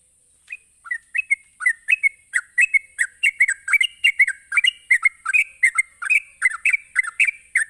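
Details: Sooty-headed bulbul delivering a rapid provoking ropelan song. It opens with a few rising whistles, then streams bubbly notes without a break. A thin high electronic-sounding whine persists throughout.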